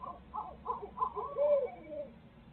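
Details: Barred owl pair at their nest in Midtown Tulsa, sharing parenting; a short burst of cackling hoots swelling into a loud, drawn-out wavering wail.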